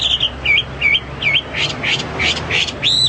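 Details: Hwamei singing vigorously: a run of short, clear whistled notes with quick up-and-down inflections, about three a second, later becoming brighter, more strident phrases, over a faint low hum.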